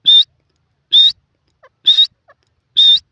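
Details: Francolin, known as Sindhi teetar: four clear, slightly buzzy high whistles, each short and level, repeated roughly once a second, with faint soft notes between them.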